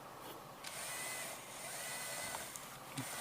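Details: Even hiss with a faint high electronic whine and a few soft knocks, containing no animal calls.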